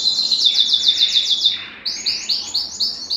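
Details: ['Belgian canary singing to stimulate males and bring females into breeding condition: a fast, buzzy high trill, a short break, then crisp rising notes repeated about four times a second.']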